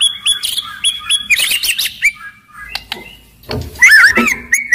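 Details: Loud, aggressive white-rumped shama whose song is meant to spur other shamas to sing and fight; varied whistled notes and chattering runs, a dense tangled burst midway, ending with twisting whistles.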